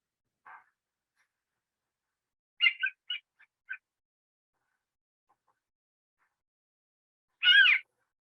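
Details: A swamp harrier gives its call in flight while circling lazily: a soft opening note, a quick cluster of short, high mewing notes, then one loud, harsh, rising squeal, all against quiet surroundings.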